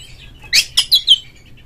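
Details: Oriental magpie-robin calling to prompt other magpie-robins to sing: four quick, sharp, high chirps in under a second, the last ones clear descending whistles.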